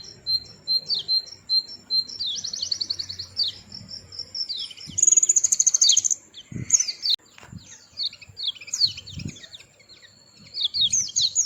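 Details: Little white-eye giving scattered high chirps and a short buzzy trill between pauses, with a steady thin tone, a few soft thumps and occasional clicks in the background.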